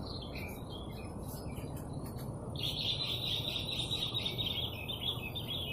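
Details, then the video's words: Golden canary singing, soft scattered twitters building into a sustained, even, rapid rolling trill held for about three seconds, heard somewhat distant over a steady low rumbling background hum. "GOLDEN CANARY BIRDSONG"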